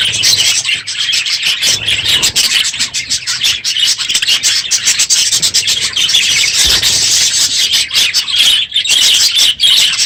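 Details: Many budgerigars crowded in an aviary one morning at the end of the breeding season, unusually loud: a dense, scratchy wall of overlapping chirps and chatter that never pauses, with sharp clicks and squawks throughout.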